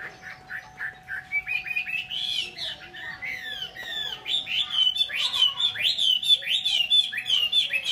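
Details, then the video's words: Song of a Chinese hwamei from Vietnam: sliding whistles that build from soft to loud, sweeping up and down in rapid repeated phrases, with a faint steady hum behind. "chim mi"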